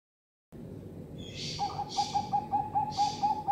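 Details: Female Bangkok zebra dove kept in captivity, bought online, giving a rapid, steady series of soft, mid-pitched cooing notes, with several breathy bursts of noise over it.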